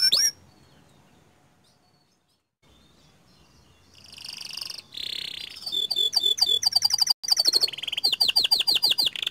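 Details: Panda canary in 'ngerol nembak panjang' style: after a quiet opening, rapid high rolling trills begin and build into repeated sweeping whistled notes over the final five seconds.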